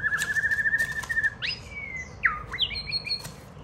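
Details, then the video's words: Pet White-rumped shama singing as a child plays with it on a hand: a rapid rattling trill held on one pitch, then clear whistled slurs, a swooping drop and high sustained whistles. "Bé con chơi với chòe hót đá tay"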